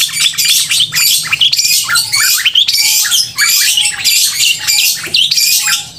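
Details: Long-tailed shrike in loud, crystal-clear full song meant to stir emotion and mating urge in other shrikes: harsh chattering bursts and high whistles, with a soft repeated lower tone in the background.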